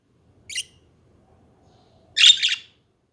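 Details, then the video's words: Caged budgies kept as pets giving a brief high chirp, then a louder scratchy, buzzy chattering burst about a second and a half later. "Hours of chatting budgies"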